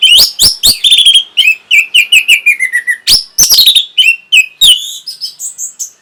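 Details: Orange-headed thrush song aimed at arousing breeding condition and a reply: steady stream of quick sliding whistles, several descending in steps, mixed with sharp clicks, tapering to thinner high notes.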